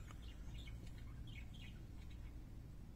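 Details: Pet parakeets' singing comes through as a few quiet scratchy chirps and soft warbles, brief and irregular, set against a loud low-pitched room hum.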